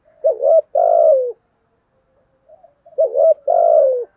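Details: Spotted dove in its 'thúc' with 'gù' routine: a wobbling hoot and a long falling coo, repeated roughly every three seconds, with faint quiet notes between phrases.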